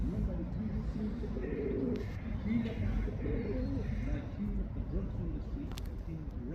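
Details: Male pigeon cooing to call a female: low, soft, rolling coos, repeated in wavering phrases throughout, over a steady low rumble of background noise.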